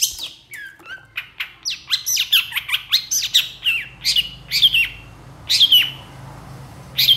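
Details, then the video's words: Long-tailed shrike singing energetically in long emotional bursts: a varied mix of short chirps, falling whistles and harsh raspy notes, repeated in quick succession over a faint low hum. "SUARA PENTET GACOR DOR EMOSI TEMBAKAN PANJANG"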